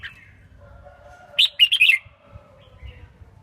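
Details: Caged female red-whiskered bulbul singing to stimulate males: a single brief note, then a lively rippling burst of four or five warbled notes lasting half a second, with a soft steady low hum in the background.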